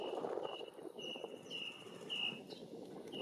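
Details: Red-legged thrush (Turdus plumbeus), a vagrant at South Pointe Park, Miami Beach, Florida, 29 June 2019, third North American record, gives thin, high whistled notes repeated about every half second over steady traffic rumble; House Sparrow and Northern Mockingbird also audible.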